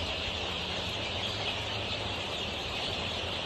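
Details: Golden Misri chicks aged 23 days, on a Pakistani poultry farm, make a dense continuous high peeping chorus, with a low humming noise underneath.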